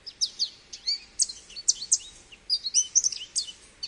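American goldfinch singing a rapid, jumbled run of high, sweet twittering notes and slurred chirps, with slight background hiss.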